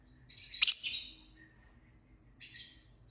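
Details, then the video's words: Lovebird chirping: one loud shrill rasping chirp with a buzzy tail, a long quiet pause, then a softer hoarse chirp. "Lovebird Singing & Chirping Sounds"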